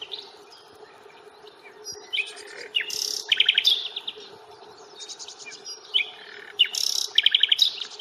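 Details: Nightingale singing on a Fingringhoe reserve stroll, 1 May: loud, varied phrases mixing sharp chirps, buzzy bursts and quick rattling note series, several phrases in eight seconds, with a low steady hum behind.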